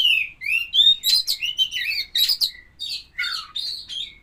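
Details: Poci-type Oriental magpie-robin being paired with a mate sings a rapid, varied stream of bright whistles, buzzy notes and downward slurs packed closely together.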